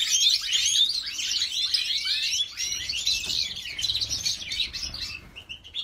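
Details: White-headed mutation female European goldfinch from a Jordanian breeder: bright, fast twittering chirps and slurred notes, fading toward the end into a few thin, softer tones.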